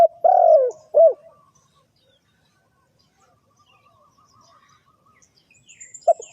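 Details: Spotted dove lure call for bird trapping: a long low coo and a short clipped note at the start, then several seconds of near silence with faint high chirps. A brief coo fragment returns at the end.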